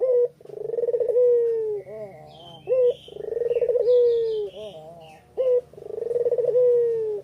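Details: Puter pelung spotted dove giving lure calls on an afternoon in Kuta, Bali: three rhythmic phrases of a rolled, pulsing coo easing into a long falling tone, separated by short sharp coos; small birds twitter faintly in the background.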